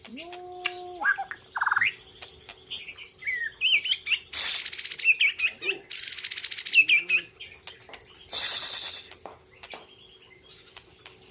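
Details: A white-rumped shama from Aceh's Gayo highlands, singing at a 2021 bird contest, mixes pure steady whistles with loud harsh buzzy bursts and quick chattering notes, irregularly spaced.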